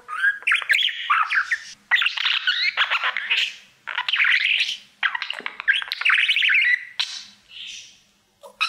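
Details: Mirror-singing male budgerigar, a pet: continuous chirpy warble of buzzy trills and rising whistles in several long phrases separated by brief pauses.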